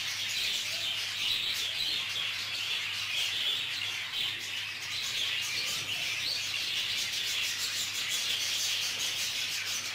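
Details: Ten seconds of budgerigars in a group aviary during a clash: unbroken high chirping and warbling chatter, with occasional sharp clicks and a low electrical hum.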